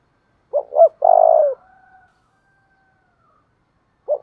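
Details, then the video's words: Spotted dove coo used to train decoy birds: two quick hollow notes and a long purring coo, a faint steady tone trailing after, then the next phrase starting. "tieng chim cu gay thuc đấu/ chim cu gáy tập bổi và mồi"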